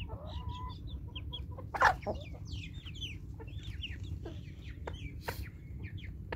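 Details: Hungry domestic chickens rushing at morning feeding; many overlapping clucks and short rising squawks from several birds, one louder burst near two seconds, with scattered clicks and low rumbling background.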